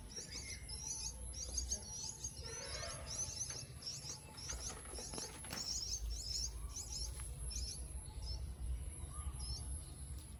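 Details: Jungle myna, known in Assamese as jhuti shaliki or bhatshaliki: a busy run of high, sharp chirping notes packed densely through the first six seconds, then thinning to scattered chirps, over a steady low rumble.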